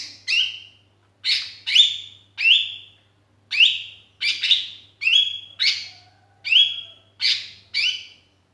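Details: Sooty-headed bulbul calling to companions, used as a lure: a series of short harsh notes, each sliding into a brief whistled tail, repeated roughly every half second to second, with a faint low hum underneath.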